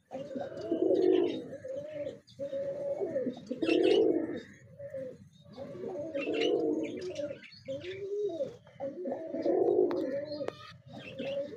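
Pigeons give low, throaty rolling coos in repeated bursts of about two seconds, with faint chirps from other birds above.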